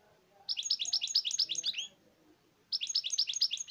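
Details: European goldfinch delivering two rapid, sparkling twitter phrases, notes repeated in quick succession with slight downward slurs, with a faint low murmur in the background.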